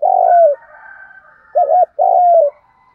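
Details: Spotted dove giving a lure call in the 'thúc gù' style, used to provoke wild doves: one long, low mellow coo, a pause, then a short hollow coo followed by another drawn-out coo, over a faint steady higher tone.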